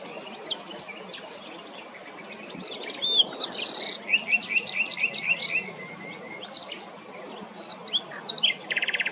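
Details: Common nightingale singing in a regional park on 26 April 2024: varied phrases with a rapid series of about seven ringing repeated notes, a harsh burst, then a dry buzzy rattle, over steady hiss.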